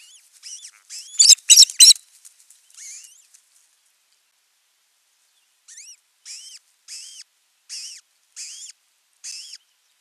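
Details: Ospreys at a man-made nest in Western Finland's Satakunta region, June 15, 2024, with the male bringing food for the chick; a loud harsh burst of calls, a pause, then evenly spaced arched whistles about every 0.6 seconds.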